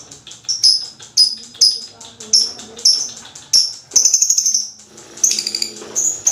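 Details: Lovebird long chattering used to stir other lovebirds into calling; rapid high, harsh chips in quick series, then a denser buzzy trill near the end, over faint low background hum.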